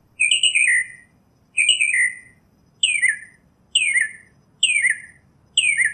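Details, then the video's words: Wild Northern mockingbird (Mimus polyglottos) in song, delivering repeated sweeping phrases that drop in pitch, about one per second, the later ones shorter and steeper, with soft low background noise. "Birds Singing - Northern Mockingbird"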